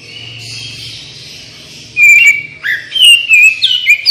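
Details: Oriental magpie-robin singing vigorously, played as a training lure to prompt other birds to respond: after two quiet seconds of faint background, loud clear whistled notes burst in, sliding and wavering, with short sharp high phrases following in quick succession.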